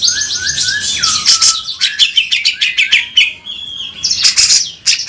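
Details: Grey-cheeked bulbul, gacor, singing 'beset kasar' for songbird tutoring: short lower whistled notes, then bursts of scratchy, buzzy chatter and a drawn-out high note, with a final loud rattle.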